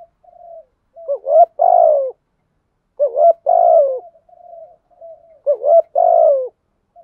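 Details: Spotted dove kept as a lure bird, cooing to provoke wild doves: low, mellow coos in three phrases, each a short soft lead-in, a quick double note, then a long drawn-out coo, with pauses between.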